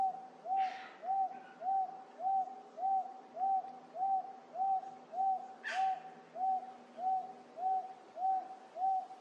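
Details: Up-close Wonga Pigeon in Wentworth Falls, Blue Mountains, NSW, Australia, late July 2024, repeats a mellow, mid-pitched 'woonk' just under twice a second in a steady, monotonous series; two brief scratchy sounds break in faintly.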